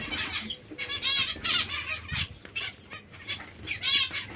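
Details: Hungry zebra finches giving rapid, nasal, harmonic-rich chattering calls in overlapping bursts, several birds at once, with soft fluttering and rustling between calls.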